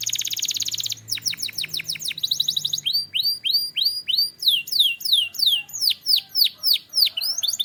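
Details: Canary from Türkiye singing: a buzzy roll, quick downward-sweeping notes, then a steady series of looping chirps about three a second, bright and high-pitched throughout.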